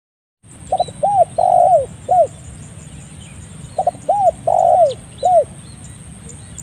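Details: Spotted dove recording for training birds and for luring: two clear, soft, mellow cooing phrases, each of four notes with a longer rolling third note, separated by a pause of about two seconds. Faint high electronic hiss throughout.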